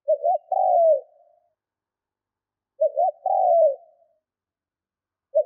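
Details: Spotted dove decoy bird cooing for training: two short rising notes then a longer falling coo, the phrase repeated about every three seconds, with a quiet pause between; no other sounds.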